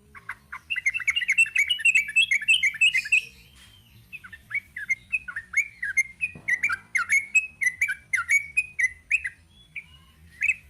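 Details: Rapid, dense chattering from a sooty-headed bulbul in long 'ropel' song, then a brief lull, then a looser sequence of slurred, bubbling whistles continuing to the end.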